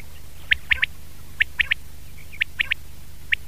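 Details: Common quail (batair) in a 2019 recording: crisp three-pip phrases, high and abrupt, repeated at roughly one-second intervals against a low continuous hum.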